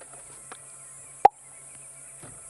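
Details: Black-bellied bustard territorial call: a single sharp, hollow pop, abrupt and brief, made as it drops after stretching its neck upright, over a faint hum and hiss; played back during a sunset safari drive in the African bush, 8 November 2016.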